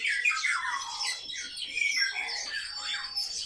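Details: Captive sparrows, described as very social birds, give harsh squawky chirps that overlap continuously, sliding down in pitch in short bursts, with a faint room echo.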